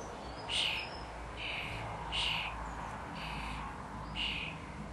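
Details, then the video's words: Common starling chicks at feeding time, giving soft, short wheezy begging calls at irregular intervals of about one second, against steady low background hum. "Starling chicks"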